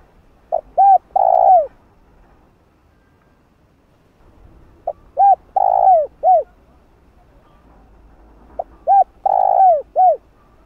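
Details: Calling coo of a spotted dove, meant to train decoy birds: three phrases about four seconds apart, each a short soft hoot, two quick hoots, a long sustained coo and a closing arched note.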